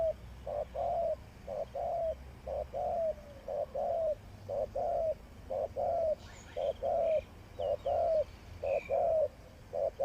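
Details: Spotted dove serving as a trapping decoy, repeating low two-part coos, short then longer and gently falling, about once a second; faint high chirps of another bird come in midway.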